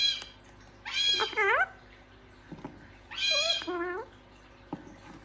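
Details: Gang-gang cockatoo talking in two paired phrases: a strained high harmonic burst followed by a quick stepped, rising inflection, repeated after a pause.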